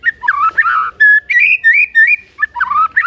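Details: White-rumped shama singing hard to goad other shamas into replying: a short series of clear, fairly low whistled notes, some sliding and some held, separated by brief pauses.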